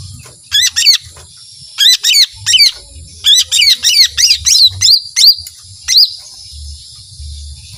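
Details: Rapid lesser green leafbird song in 'tembakan panjang' style, doubled high chirps and swooping whistles in quick succession, roughly three notes a second, with light low background noise.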